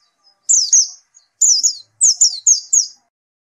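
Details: Following therapy, a white-eye repeats brief high phrases of paired descending whistles, four quick phrases in close succession in a quiet setting.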